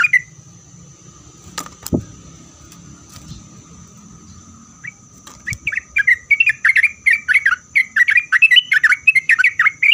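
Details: Sooty-headed bulbul song used to provoke other bulbuls into replying: after a few quiet seconds with clicks and a thud, quick bursts of short whistled notes begin and grow louder, repeated several times a second over a faint background hum.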